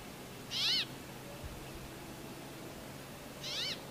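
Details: Brambling calling to its mates, giving two drawn, buzzy, nasal wheezes about three seconds apart, the second quieter, against a hissy background with low hum.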